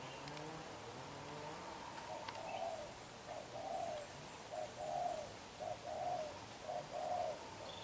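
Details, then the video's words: Young spotted dove with black eyes, cooing intensely: repeated low, mellow coos in rhythmic groups, starting softly and growing louder, over a constant hiss and faint low hum. "Bổi Tơ mắt đen, đập gù quá dữ chim"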